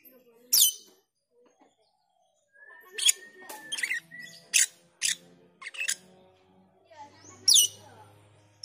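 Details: Black-winged myna call, used as a lure to train the cucak keling songbird: scattered harsh, broadband chatters and squeaks with a brief steady whistle, separated by short pauses, over a faint low hum.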